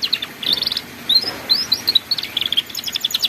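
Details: Master song of a canary for young learners of ngeriwik: quick high chirps and slurred whistles strung together in lively bursts, with steady hiss behind.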